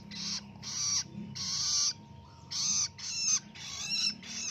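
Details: Harsh, grating rasps from a young long-tailed shrike raised in captivity and learning its ngelolo song, six noisy bursts in under five seconds, separated by short pauses, with a faint steady hum behind.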